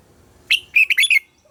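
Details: Red-whiskered bulbul morning song for training captive birds: one short, loud phrase of four or five rich, quick whistled notes, clean and bright, with quiet background.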